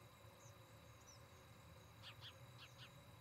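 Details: Osprey calling at a nest in Charlo, Montana, recorded by a nest cam on 17 August 2018, early evening: a quick run of four thin, piercing chirps near the end, with constant low hum underneath.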